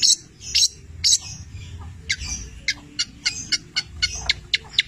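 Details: Long-tailed shrike from Cililin, 'petir' style, with labet and canary imitations in its song: a few loud harsh bursts, then a steady series of thin, high chips about three per second.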